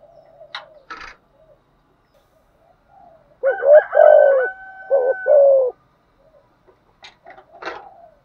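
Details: Spotted dove calling to lure wild doves: a rising note and long throbbing coo mid-clip, with higher sharp clicks and chirps before and after.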